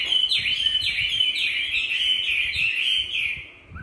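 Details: Tamed Chinese hwamei kept in a cage in Hanoi, Vietnam, singing in fighting style: clear ringing whistles broken by a rapid series of repeated down-slurred notes, fading out near the end.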